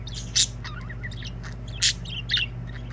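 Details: Several budgies in song, trading quick scratchy chirps, short squawks and twittering warble notes, with three loud harsh bursts standing out against a constant low hum in the background.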